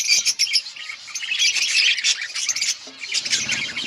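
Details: Outdoor budgerigar colony, a noisy mix of harsh squawky notes and high chirps from several birds calling over each other.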